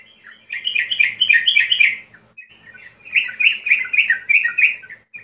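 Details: Sooty-headed bulbul song used as a lure recording to get untrained birds singing quickly: two bursts of dense, bubbly chattering phrases with fast warbled notes, separated by a short pause.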